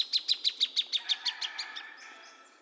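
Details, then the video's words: Plain thornbird song: a run of about eleven sharp, evenly spaced chipping notes, roughly six per second, that gradually soften and trail off into a quiet fading chatter. "Kicauan Burung Plain Thornbird"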